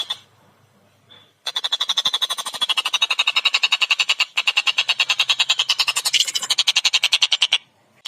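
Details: Collared kingfisher calling energetically with a clean, rapid delivery, a sustained six-second stream of harsh, closely spaced notes that waver slightly in pitch after a quiet start.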